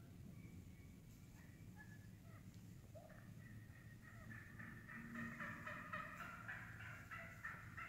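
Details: A flock of wild turkeys feeding through the woods, loud with calls: sparse clucks at first, then a burst of rapid, irregular cutting notes building in the second half over low background hum.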